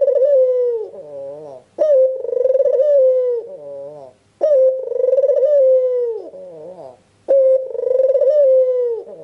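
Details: Albino Barbary dove with red eyes in full voice, meant to prompt other doves to call; three cycles of a sharp rising note leading into a long throbbing coo that falls, then a quavering lower phrase.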